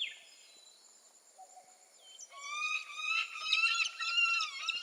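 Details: Peregrine falcon: a quiet start with a faint thin whistle, then loud grating, wailing calls build up, harmonic-rich and strained, continuing steadily to the end.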